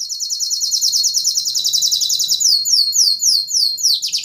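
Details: A yellow canary sings a long, very fast high trill of rapidly repeated notes, then switches to a run of loud, quickly falling whistled sweeps that end in a low dip.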